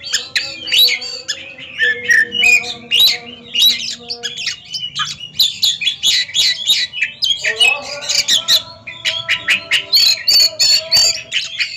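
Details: Competing caged Oriental magpie-robins in a duel: a long, dense run of varied whistles, chatters and harsh notes, with humming tones and people talking underneath.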